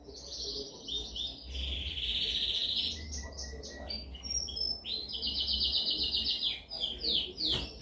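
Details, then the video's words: Canary training song, described as dominant: buzzy sustained trills and whistled phrases over a steady low background hum, with the song fading and returning in bursts. "Canção mais dominante de canary para treinagem."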